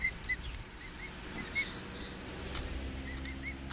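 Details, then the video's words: A handful of high, short, arched peeps from five-week-old pet emu chicks, clustered at the start and end, over a steady low rumbling background. "Pet emu chicks 5 weeks old (Dromaius novaehollandiae)"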